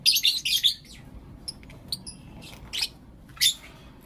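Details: Morning chirping from pet lovebirds of blue opaline and lutino opaline colour: a quick run of harsh high notes at the start, then a few spaced thin chirps and two sharp squeaks.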